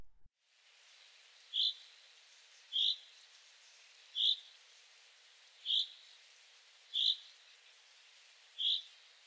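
A Common Chaffinch in moderate alarm gives six short, high, clipped notes, spaced about every one and a half seconds, over a quiet background hiss.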